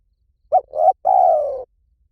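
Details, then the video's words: Spotted dove giving the call style known locally as lio tan, used as a lure to train doves to call back: two short clipped coos followed by one long, mellow coo that slowly falls in pitch. Quiet background. "สำหรับเปิดล่อนกเขาใหญ่ฝึกต่อ ให้ขันโต้ตามเสียงนกเขาใหญ่หลิ่วตัน"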